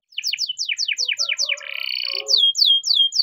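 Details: Morning training song of a Spanish Timbrado canary: a rapid series of descending whistled notes, a brief buzzy trill, then slower falling notes repeated about three times a second.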